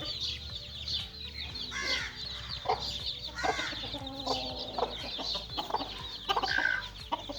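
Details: Small chickens at play, a crowd of high chick peeps running without pause, mixed with short lower clucking notes and scattered louder chirps.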